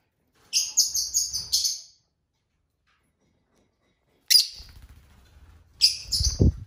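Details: Several pet lovebirds at dinner: a quick burst of five rapid high chirps, a long silence, then more sharp chirps alongside low thumping and clinking from feeding.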